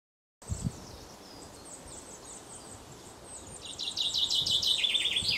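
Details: A pair of Eurasian nuthatches feeding their young at Mere Sands Wood, Lancashire, 1 June 2013 afternoon: thin, very high chirps repeating quickly, then a louder run of sharp, lower notes near the end, over faint woodland noise.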